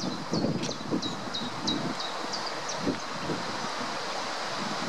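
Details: Greylag goose (Anser anser) chicks feeding at the Munich Botanical Garden give thin, high peeps, short and repeated about twice a second, over steady wind and a low rumble.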